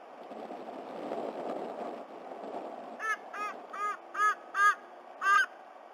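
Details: A black currawong visiting a White-bellied Sea-Eagle nest in Sydney Olympic Park, Australia, vocalizing with the eaglet on 26 October 2020 at 11:55 a.m.: six harsh, ringing, arched calls, about one every half second, after three seconds of wind and rustling.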